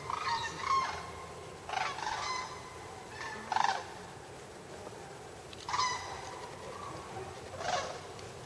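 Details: Canada geese in flight heading home: spaced bursts of loud, nasal two-part honks from a few birds, groups of calls about every one to two seconds with quieter gaps between, over a steady background hiss.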